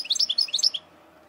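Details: European goldfinch from eastern Algeria, kept as a cage bird, singing a rapid tinkling phrase of high twittering notes with liquid rising and falling slurs, lasting under a second, then quiet.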